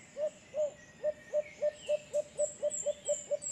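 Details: In San Pablo City, Laguna, Philippines, a White-eared brown dove gives about a dozen soft, low hoots that speed up as the series goes on, over a thin high insect hiss.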